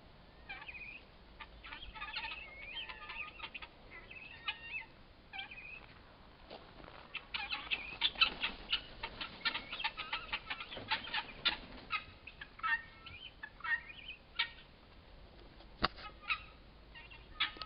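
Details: Guineafowl perched on a bean head, giving harsh, rasping calls in quick bursts that grow louder and more frantic midway.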